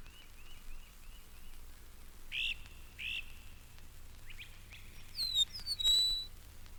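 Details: Great crested flycatcher at Mountain Lake Sanctuary, Lake Wales, Florida, where its call dominates in spring and early summer: two loud, rising, burry wheep calls after a quick series of thin chips, other birds whistling near the end.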